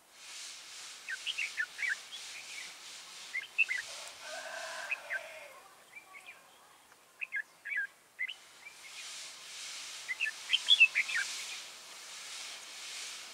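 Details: Red-whiskered bulbul used as a decoy for trapping wild bulbuls, recorded 30 October 2018: scattered short, bright chirped and whistled notes in loose bursts across thirteen seconds, with broad hissing wind-like noise rising and falling behind.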